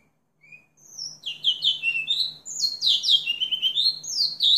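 A house finch sings a fast, jumbled warble of high, sliding notes, many swooping downward, running continuously after a brief opening chirp, over a faint low hum.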